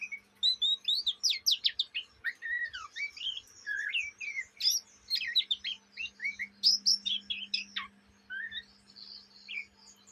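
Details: Oriental magpie-robin youngster (kacer bahan) in Indonesia chattering ngriwik, reportedly day and night; rapid, varied bursts of sweeping whistles, clicks and chips, loud and nearly continuous for about eight seconds, over a faint electrical hum.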